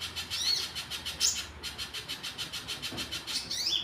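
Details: Little spiderhunter singing actively in the wild: a steady run of high, dry, buzzy notes repeated several times a second, briefly broken after about one and a half seconds, with a few sharper upslurred chips mixed in.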